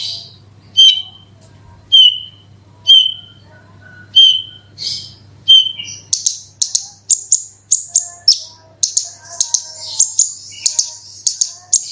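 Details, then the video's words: Horsfield's bush lark in 'super roll tembak' lure song to trigger other larks: first spaced clear whistled notes about once a second, then a quicker run of very high sharp chirps and trills. "BRANJANGAN ANDA KURANG GACOR PANCING SUARA INI PASTI LANGSUNG IKUT BERKICAU"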